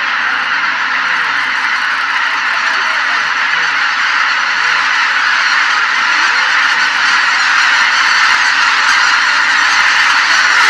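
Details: Greater white-fronted geese leave their marsh all at once at sunrise, the whole flock in the air. Loud overlapping yelping honks form a dense, sustained chorus that grows slightly stronger toward the end.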